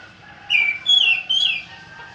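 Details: Three loud, slurred whistles from an orange-headed thrush, each sliding down in pitch and following the last almost without a break, over a quiet background.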